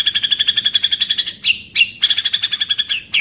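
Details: White-rumped shama pastol-style training song, the rolling 'shot' rhythm heard as a rapid, evenly repeated high chatter broken by two brief pauses and sharp accents.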